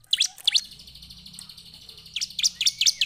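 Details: Bar-winged prinia song, played in the afternoon to draw other prinias into answering: sharp, high chipping notes in quick bursts at the start and again near the end, over a steady high buzzing insect drone.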